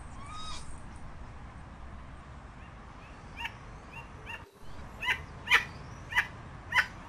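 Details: A crested guan (Penelope purpurascens, pava cojolita) gives loud, harsh, honking yelps, about five in the last few seconds, spaced roughly half a second apart, with faint whistles from other birds beneath.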